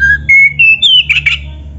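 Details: Black-throated magpie-robin singing canary-style fill-ins as a lure: clean whistled notes stepping upward in pitch, ending in a burst of buzzy trills, with a steady low hum behind.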